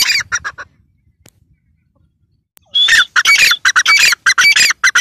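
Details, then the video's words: A burst of harsh chattering notes, a pause of about two seconds, then a female grey francolin resumes with loud squawking calls in quick series, each marked by a short high whistled flick. "female teetar ki awaz"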